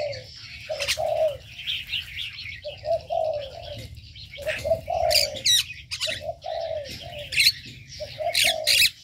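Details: Aviary birds calling: paired short, soft hooting notes repeated at uneven intervals, mixed with busy high twittering and several sharp, piercing squeaks in the second half.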